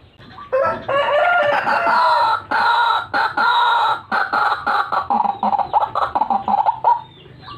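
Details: Harsh, loud croaking of white-breasted waterhen from a recording used to lure birds: long grating phrases, then a stuttering sequence of shorter rasping notes that fade out.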